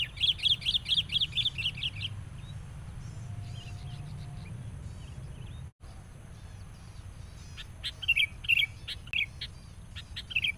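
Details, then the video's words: Sooty-headed bulbul during bird trapping with a decoy, furious on meeting a rival: a fast run of bright, repeated chirps for two seconds, then scattered bubbly notes and sharp ticks later, over a steady low rumble. "PIKAT KUTILANG NGAMUK NGOTOT. SAAT BERTEMU LAWAN.."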